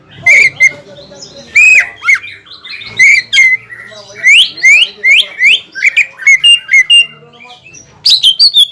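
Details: Greater green leafbird song meant to stir up a rival: emphatic looping whistles and squawky notes, some sweeping up sharply, given in uneven bursts over a low background hum.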